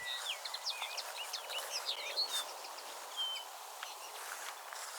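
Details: A male common linnet sings a fast, jumbled twitter of short chirps, trills and thin whistled notes, all high-pitched and pouring out without pause over faint hiss; a recording made at a gravel pit.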